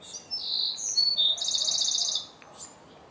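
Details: Wren song as birds communicate with each other: a loud, high, tumbling phrase of varied whistled notes that runs into a fast, even rattling trill, about two seconds long.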